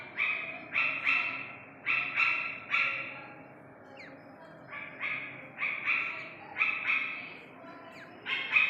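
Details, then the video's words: Iranian partridge chick giving harsh, buzzy doubled calls in short bursts of two or three notes, repeated roughly every second with brief pauses, over a low steady background hum. "ایرانی تیتر کے بچے کی اصلی آواز"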